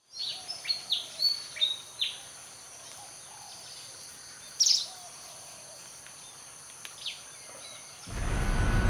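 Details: Pied Fantail calling: a quick run of about five short, high, clear notes within the first two seconds, then a single sharp high note later, over steady background hiss, ending in a sudden burst of loud rumbling noise.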